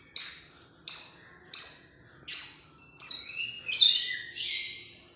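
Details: Long-tailed shrike singing at a singing competition: loud, harsh, descending chattering notes repeated about every 0.7 seconds, ending in rising and falling whistled slurs.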